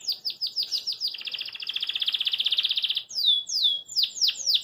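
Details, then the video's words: Caged Belgian canary singing joyfully while hopping in its cage: a run of quick descending chirps, then a long rapid trill of fast even pulses, followed by slurred downward whistled notes, all high-pitched and clear. "CANÁRIO BELGA CANTA PORQUE GOSTA"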